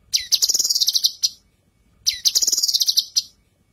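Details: Female leafbird (cucak kinoi) training song for other birds: two fast runs of sharp, high-pitched twittering notes, each about 1.3 seconds long and about two seconds apart, against quiet background.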